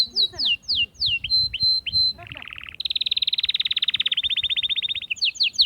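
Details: Atlantic canary singing to stimulate females for mating: repeated loud, down-slurred chirps, a short, low buzzy trill, then a long, very rapid, even trill that fades, and a final burst of sharp chirps.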